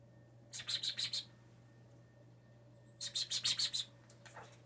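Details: Blue jay rescued as a nestling and kept inside, imitating sneezes and speech; two bursts of five or six rapid, hissy high notes about two seconds apart, then a faint squeak, over low background hum.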